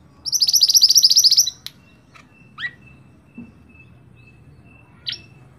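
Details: Mantenan or scarlet-backed flowerpecker singing to train rolling-type songbirds: a fast, shrill trill of about a second, then a few sharp downslurred chips and a faint thin whistle in between.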